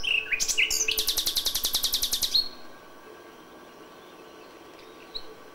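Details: Common nightingale in May at dawn delivering a loud, machine-gun trill of rapidly repeated notes lasting about two seconds, then near silence with faint background chirps.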